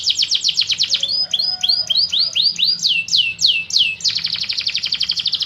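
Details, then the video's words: Canary in energetic 'gacor' song: rapid chirps, then a string of slower, swooping whistled slurs that lengthen one by one, then a return to fast dense chattering notes. "Suara kicau kenari 2"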